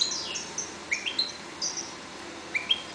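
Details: European goldfinches breeding in a cage give a few short, high slurred chirps, some rising or falling, spaced irregularly over three seconds.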